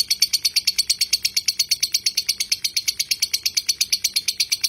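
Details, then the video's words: Long ngekek by a lovebird, a tutor recording: crisp, high chirping notes repeated quickly and very regularly in an unbroken chattering trill. "masteran lovebird ngekek panjang"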